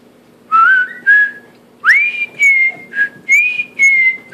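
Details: Indoor male cockatiel practising the Andy Griffith tune: loud, clear whistles that slide upward and then hold, about seven phrases with brief gaps and a faint background hum.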